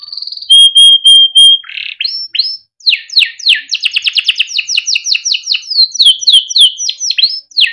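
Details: Melodic Timbrado canary song meant for training, opening with pure whistled notes, then rising slurs and a long fast series of descending sweeps, loud and clear with no other sounds.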